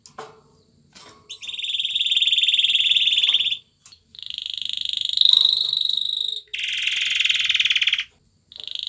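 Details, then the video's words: Male canary dancing before a female to stimulate her to mate; bright, high rolling trills in long bursts of one to two seconds, separated by short gaps, with a few faint scattered notes between them. "شاهد كيف يرقص ذكر الكناري على الأنثى للتزاوج معها */ يحفز الانثى على التزاوج مهما كانت"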